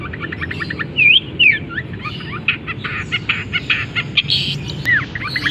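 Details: Caged long-tailed shrike in full song with borrowed canary, fighting sparrow and kapas tembak phrases; clear looping whistles and slurred notes blend into dense rapid chattering and twittering, with a low hum behind.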